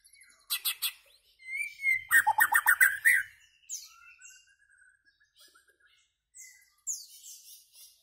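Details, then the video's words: Singing white-rumped shama: sharp paired chirps, a long sliding whistle, then a dense rattling burst of rapid notes, followed by soft fading whistles and a final high chirpy flourish. "White-rumped Shama Bird Song Singing And Chirping"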